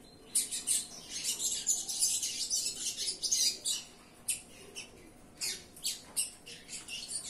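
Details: A captive-bred double-collared seedeater from a breeder's 2021/22 generation sings a fast, high, scratchy twitter of buzzy notes in bursts, with short pauses between phrases.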